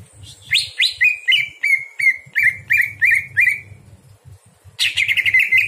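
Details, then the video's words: Greater green leafbird singing at night, used as a tutor for other birds: a series of sharp upswept whistled notes repeated rapidly, a pause, then a dense burst of chattering phrases; low hum beneath. "masteran cucak hijau di malam hari"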